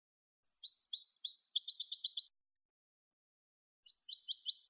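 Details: European goldfinch in the clean malagueño style for educating goldfinches: liquid, sliding high phrases speeding into a quick ringing trill, a pause, then another short bright trill, with no other sounds.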